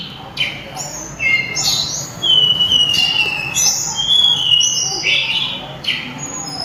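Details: Loud, melodious song of a sulingan, known too as mountain tledekan: quick high whistled phrases with slurs and short trills, repeated with brief pauses, over a faint low hum.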